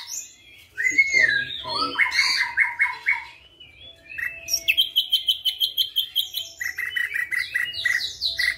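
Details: Active ashy drongo with white eyes running through mimicry including flycatcher notes: harsh squawky slurs, rapid rising whistles, a bright buzzy rattle and ending with quick repeated chirps.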